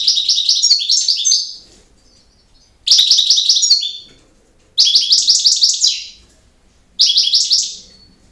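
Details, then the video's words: Campero-style song of a European goldfinch. Four lively phrases, each a quick cascade of tinkling, twittering notes with dry buzzes, arrive about every two seconds with clean silences between them. "El Jilguero BiH 18"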